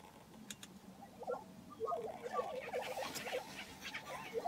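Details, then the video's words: At a Kansas ranch lek in April 2023, lesser prairie-chickens break into a quick stream of clucking, yelping notes after a quieter opening, with a hissing wash of background sound. "Lesser Prairie-Chickens, Hoeme Ranch, KS 22 April 2023"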